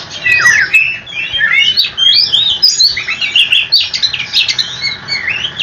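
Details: Oriental magpie-robin singing a long, unbroken rolling song meant to make other magpie-robins answer: dense run of quick whistled slurs and chirps, many rising and falling sharply, pouring on without pause.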